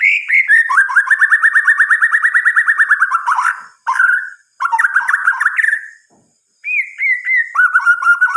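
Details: White-rumped shama at night, singing a long rapid series of evenly repeated mid-pitched whistled notes, followed by short bursts of warbling phrases separated by brief pauses.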